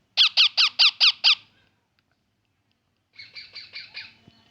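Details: Six loud, rasping chirps in quick even succession from a baby parrot, followed after a pause of nearly two seconds by a fainter, hoarser series of six.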